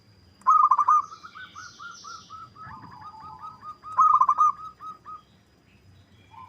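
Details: Local zebra dove lure song, meant to provoke other birds into singing and answering: a loud rolling pulsed phrase followed by a series of soft evenly spaced coos, then the pulsed phrase again, with a faint high chirping behind.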